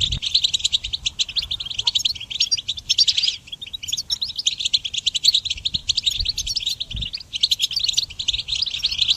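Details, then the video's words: Goldfinch singing for songbird training, a fast continuous twittering of high, tinkling notes with rapid trills and buzzy chatters, running almost unbroken for nine seconds with only brief pauses. "Harmonious Connection Motivation in Goldfinch Song Training"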